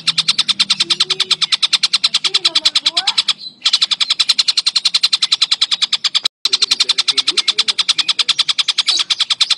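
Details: Kingfisher singing heavily, a long fast rattle of evenly spaced, high, dry pulses, roughly eight per second, broken by two short pauses; faint lower sliding tones underneath.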